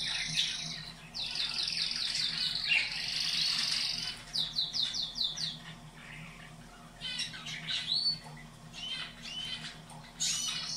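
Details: Canary song for stimulating caged canaries to breed, played twice a day: rapid rolling trills of repeated downward-sweeping notes, bursts separated by short pauses, bright and high, over a faint low hum.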